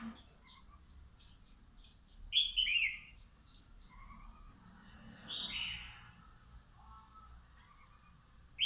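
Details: Wild-caught red-whiskered bulbul, caged for two months, sunning in the morning to build health and tameness, gives short bright warbled phrases, a loud rich burst near the middle and another later, with faint chirps and steady low background hum.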